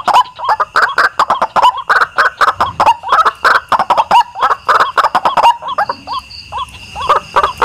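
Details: White-breasted waterhen lure recording with steady, rapid, harsh croaking notes repeated several times a second, ending with a few separate rising and falling whistled calls over a faint steady tone.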